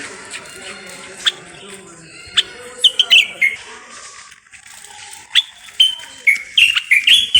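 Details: Moroccan common bulbul singing amid a busy background murmur, with sparse sharp notes early, then a tumbling series of whistled, warbling phrases in the second half.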